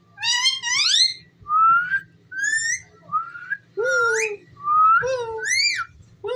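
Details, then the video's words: Talking ringneck parrot giving a run of whistled, word-like syllables, some rising, some falling, with layered harmonics, spaced irregularly over several seconds. "Talking parrot so cute"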